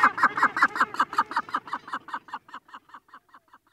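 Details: Cape gannet chick begging at close range, with adults said to call occasionally in the distance. A rapid run of harsh, buzzy notes, about five each second, evenly spaced and growing steadily fainter over nearly four seconds.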